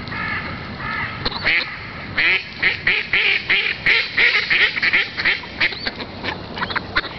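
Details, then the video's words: Ducks quack in a busy, overlapping chorus of short nasal calls, several per second, with a steady background hiss, and a raven answers them. "EENDEN, quacking DUCKS"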